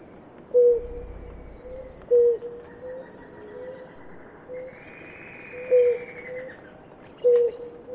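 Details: Low single-note coos from a blue ground dove pair drinking water, five short hoots at uneven intervals of one to three seconds, a long faint whistle above and a steady shrill insect tone throughout.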